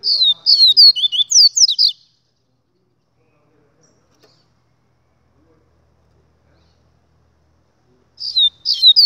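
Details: Double-collared seedeater singing: a two-second burst of quick, high, down-slurred whistled notes, then near silence, then the same bright twittering phrase starting again at the end.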